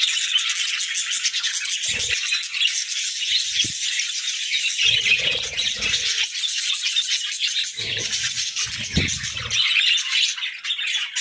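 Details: Budgerigars breeding in winter, a kept group filling the air with dense, continuous high chattering and warbling, punctuated by scattered low thumps and knocks.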